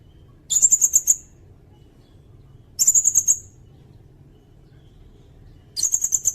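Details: Songbird-training recording of sirindet song: three bursts of rapid, very high stuttering notes, each lasting about half a second, spaced roughly 2.5 seconds apart in a quiet setting.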